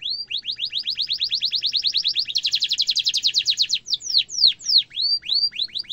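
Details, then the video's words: Canary song of the kind used for training young and adult canaries, with a long rolling trill: fast repeated whistled upslurs running into a dense buzzy roll, then separate sweeping downslurred and upslurred notes. "kenari gacor ngeroll panjang cengkok mewah efektif untuk masteran burung kenari muda dan dewasa"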